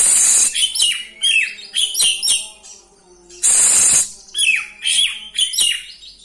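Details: Kacer, the oriental magpie-robin, in full rolling song with fill-in phrases to stir other kacer: two long harsh hissing bursts separated by quick bright descending whistles repeated in clusters.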